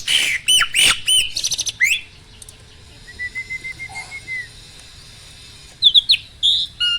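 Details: Mature male Asian pied starling in breeding condition, kept captive, opening with loud whistled and clicking phrases, then a quiet gap holding one drawn-out level whistle, ending with a few sharp squeaky notes.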